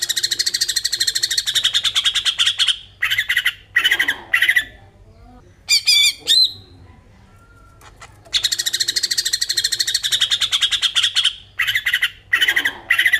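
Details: Greater green leafbird in full song, used as a lure to stimulate other birds: long bursts of rapid harsh chattering trills repeated densely, broken by short sharp squawks and brief pauses, loud and close.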